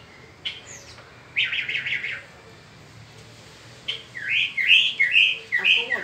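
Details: Peninsular mockingbird singing in spring: scattered phrases of buzzy trills and rising-falling whistled notes between quiet gaps, with a faint low hum underneath.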